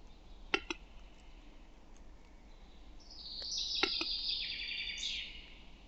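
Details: Western capercaillie male song, Lithuania: a few sharp double clicks against quiet background, then a rising high, hissing, grinding phrase of about two seconds.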